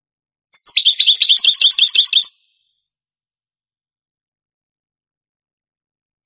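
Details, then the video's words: European goldfinch in the Andalusian Granada song style, from a cassette brought to Morocco around 1990: one phrase of a sharp high note sliding down into nearly two seconds of rapid, ringing repeated chirps. "CANTO DEL JILGUERO"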